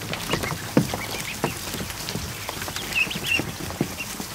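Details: A crowd of over a hundred just-hatched ducklings in a barn kiddie pool in the afternoon; two clear high peeps stand out late, amid soft pattering, splashing and scattered clicks.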